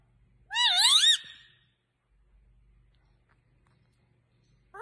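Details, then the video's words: Indian green ringneck parrot giving one loud, tonal, wavering call that swoops up and down for under a second, then silence before another call begins at the end, in a quiet setting. "Indian Green Ringneck Beautiful Parrot"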